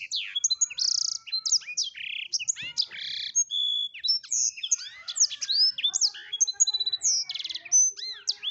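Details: Gacor blackthroat song runs unbroken for over eight seconds, mixing high rapid twitters, buzzy rattles, downslurred whistles and fast trilled bursts in constant variety.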